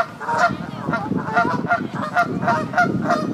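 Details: Loud, nasal, repeated honking from Canada geese nesting and laying eggs on a pond in Midhurst, West Sussex, England; about eight honks in quick succession.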